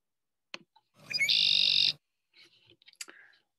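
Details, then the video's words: A male Red-winged Blackbird gives a short introductory note, then a gurgling onset rolling into a loud, buzzy trill of about half a second, followed by a few softer chattering notes. "that bird just told you that it's a red-winged blackbird"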